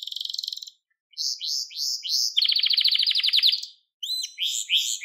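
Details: Canary song for training young canaries: a short trill, a silent gap, rising chirps, a dense buzzy roll, another pause, then sweeping upslurred notes.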